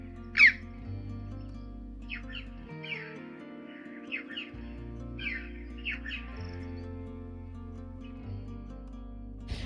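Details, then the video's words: Red-billed chough at St Agnes Head, Cornwall, coastal path, morning before rain; recording inserted for listeners: a loud ringing 'chee-ow', then fainter harsh calls every second or so over steady background music. "And of course we hear the amazing chough call as well, and we might insert one just so you can hear it."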